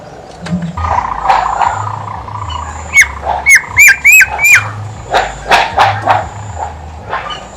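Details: Horsfield's babbler in full song, a lure recording for coaxing quiet birds into singing: a quick run of six short, hooked, whistled notes, each rising then dipping, over faint background hum and scattered clicks.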